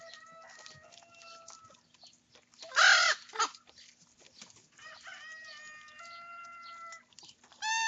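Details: Several young common ravens feeding at breakfast and squabbling over food; a loud harsh squawk bursts out amid drawn-out steady tonal calls, with pecking and rustling underneath.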